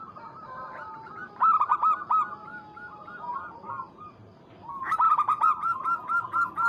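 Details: Local Zebra dove calling out to a rival with two loud stretches of fast, repeated cooing notes. Between them come lower, softer coos and long drawn notes from several other doves.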